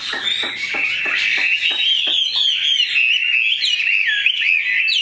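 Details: Chinese hwamei, a large caged bird, singing a loud, continuous run of clear whistled phrases that rise and fall rapidly, with quick slurred notes and a few sharp clicks early on.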